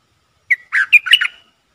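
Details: A decoy red-whiskered bulbul calls to draw in wild birds, giving a single quick phrase: an opening clear note and then a run of liquid, slurred chirps lasting about one second, heard against near silence.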